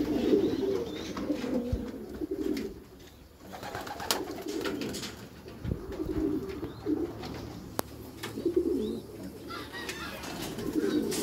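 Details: Meulemans racing pigeons cooing in their backyard loft, deep bubbling phrases repeated in bursts every few seconds, broken by a few sharp knocks.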